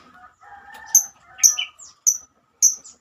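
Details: Female lovebird calling to its companions, giving sharp high chirps about every half second over a faint lower murmuring tone early on.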